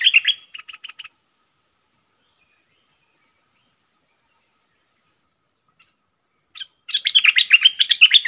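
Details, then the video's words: Captive bulbul kept as a decoy bird, dated 22 August 2021: a brief burst of rapid chirpy notes opens, followed by a long silence, then a fast, bright, jumbled warbling phrase of repeated notes. "เสียงนกดอกแตงEp.73 นกต่อสายโหด(เจ้ามณี) Suara merbah lekir gacor"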